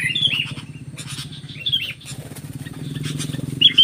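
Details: Sooty-headed bulbul facing a stubborn wild bulbul, giving short bubbly warbled phrases near the start, again briefly midway and at the end, over a steady low humming drone like an engine.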